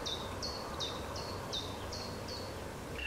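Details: Mallard ducklings with their mother preening and bathing on the Nezhegol River in Russia's Belgorod region; clear high downslurred peeps repeated at a brisk, slightly uneven pace, about seven in three seconds, above low rumbling noise.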